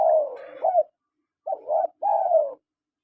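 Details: Spotted dove calls from a male and female: a long, hoarse falling coo running into a rising note, then after a gap two paired coos and a drawn-out, slightly falling final coo.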